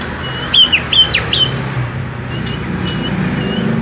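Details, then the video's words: Small-bodied greater green leafbird giving a brief burst of four or five sharp, high whistled notes, followed by soft distant whistles over steady background hum. "Setting Cucak Hijau Body Kecil"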